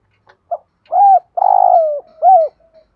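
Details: Spotted dove coo used as a lure for wild birds: a short, soft note, then a mellow coo, a long trilled coo sliding downward, and a final falling coo, all low and husky.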